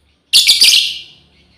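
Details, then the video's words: Female lovebird calls companions with one intense, buzzy shriek pulsed in three quick beats, fading out gradually. "SUARA PEMANGGILAN BURUNG LOBEBIRD//BETINA MEMANGGIL KAWAN"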